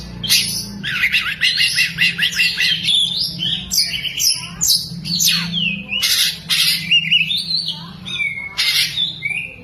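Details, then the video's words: Oriental magpie-robin fanning its tail while singing, lovebird imitations worked into its song. Rapid harsh squawking chatter opens, then loud sweeping whistles and sharp shrieks come in separate bursts. "BURUNG KACER BUKA EKOR SAMBIL NEMBAK" | ISIAN LOVEBIRD KACER"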